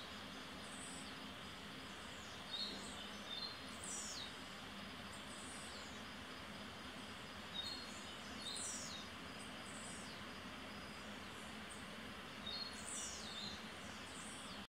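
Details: Male blue-black grassquit doing its up-and-down jumping courtship display in Boquete, Panama, giving thin, high, buzzy downslurred notes in pairs every few seconds over a steady roar of traffic or machinery.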